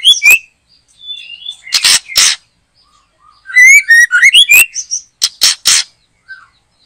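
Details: White-rumped shama singing loudly in a backyard behind a house during bird trapping: varied clear whistled phrases, some rising and slurred, broken by sharp harsh broadband bursts in pairs and triplets.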